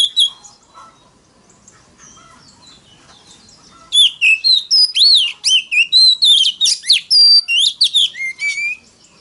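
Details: Oriental magpie-robin decoy song meant to draw rivals into singing duels; a quiet, sparse opening then a loud fast run of varied whistles, slurs and chipped notes for the last five seconds.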